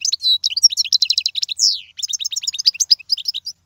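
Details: European goldfinch song for instructing chicks, a lively unbroken series of rapid high twittering notes, quick slurs and a drawn-out buzzy note.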